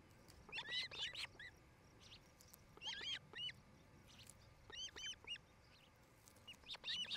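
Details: Osprey at a nest in Charlo, Montana, a mated pair building a new nest: clusters of sharp, high whistled chirps in quick bursts separated by pauses of one to two seconds, with faint steady background noise.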